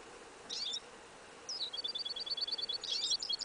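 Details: Goldfinch × yellow isabella canary hybrid singing in a winter field, January 2015. A brief scratchy burst, then a row of evenly spaced high chirps ending in a jumbled twitter, with background hiss.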